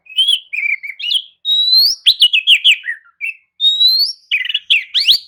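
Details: Lure song of an Oriental magpie-robin for stirring a listless bird into response: long rising pure whistles alternate with fluty warbled notes and scratchy bursts, a rich varied phrase in a clean, quiet setting.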